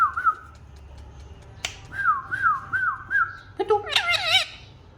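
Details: A pet talking Indian ringneck (rose-ringed parakeet) gives clear whistled notes, then four quick dipping whistles and a wavering, warbled phrase. A single sharp snap sounds partway through.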